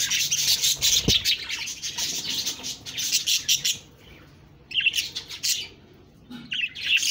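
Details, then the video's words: Budgies chattering in dense bursts of high, scratchy chirps and warbles, broken by two short pauses near the middle and again before the end, with one low thump at about one second. "Budgies Birds talking sound Birds chirping sounds"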